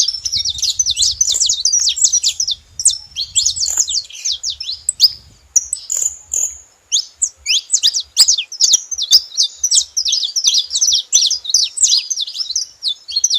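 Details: Saffron finches together making noise. Long runs of fast, high, jumbled chirping break off once for a single drawn-out whistle, then resume at full pace.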